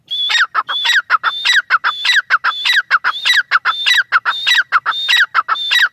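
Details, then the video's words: Grey francolin calling steadily: a harsh, ringing phrase of a high thin whistle followed by falling, clipped notes, repeated in rapid succession about every half second throughout, loud and close with no other sounds. "Dakni teetar ki awaz | Grey francolin sound | teetar voice | teetar awaz | teetar sounds"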